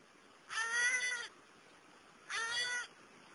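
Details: Juvenile New Caledonian crows, wild, developing tool skills by fishing beetle larvae from wood; two long, strained, nasal calls rich in harmonics, the first longer and the second shorter, separated by a brief pause.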